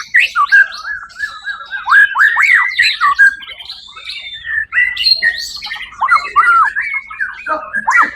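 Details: First-place white-rumped shama at a 1 October 2023 songbird contest pours out a fast, dense song of repeated downslurred whistles mixed with chattering and squawky notes, continuous throughout.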